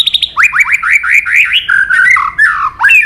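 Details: Murai batu, a white-rumped shama in steady song rich in inserted phrases, opens with a few high ticks, then gives a quick run of rising whistled slurs, each repeated several times, and ends with a sharp up-sweeping note.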